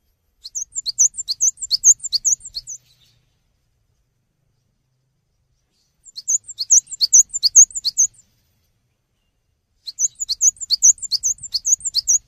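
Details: Cinereous tit in persistent song for songbird training: three separate bouts of high, clear, repeated paired notes, each bout around two seconds long with quiet pauses between, otherwise clean background.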